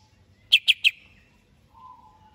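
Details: Greater green leafbird, readied for a singing contest, gives three quick, piercing high downslurred chips, then a quiet lower drawn-out warble.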